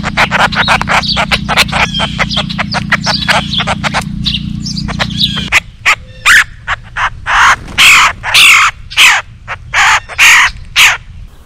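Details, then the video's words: A nesting pair of Red-headed Woodpeckers visiting a feeder for live mealworms and peanuts call to each other: quicker chirps, then harsh, scratchy calls repeated about twice a second over a low steady hum. "Red-headed Woodpeckers talking to each other!"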